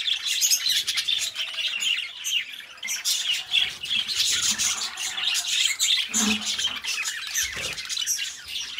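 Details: Domestic budgies chattering continuously, a rough, scratchy warble of squawks and trills, with a short knock or thump near the end.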